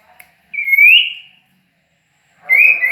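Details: Sirtu or cipoh songbird from Ajibarang utters a clear, slightly rising whistled note, then after a pause starts another similar whistle.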